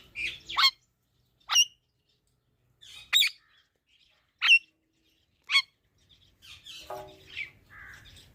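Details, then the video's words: Green pet parrot uttering short harsh squawks about once a second, with softer chattering notes near the end. "Parrot Talking video"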